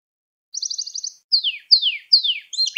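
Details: Canary song made to teach young canaries to sing: a rapid buzzy trill, then four descending whistled sweeps and a final bright note, with clean silent gaps between phrases.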